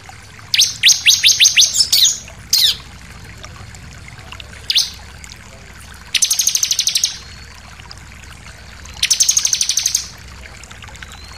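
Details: Bar-winged prinia song used to provoke other birds into singing: a run of loud downward-sweeping high notes, then separate bursts of rapid buzzy trills, each lasting about one second, over a faint steady background hiss.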